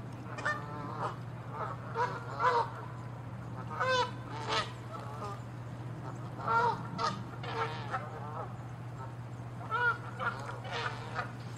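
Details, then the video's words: Angry, territorial Canada geese chasing and attacking each other give loud, ringing honks in quick bursts, often doubled, scattered across a dozen seconds above a constant low hum. "Geese fighting & honking loud sounds"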